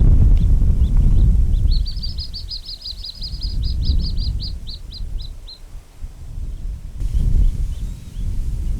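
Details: Juvenile little grebes at Oare Marshes give a fast run of thin, high peeping notes, several per second, calling on a parent to feed them, over a steady low rumble of wind; recorded from about 10–12 ft away.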